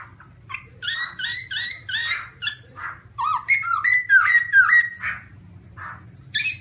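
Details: Black-throated laughingthrush in a busy sequence of chattering, squawky notes followed by clear whistled slurs, about two notes a second, in a quiet room-like setting.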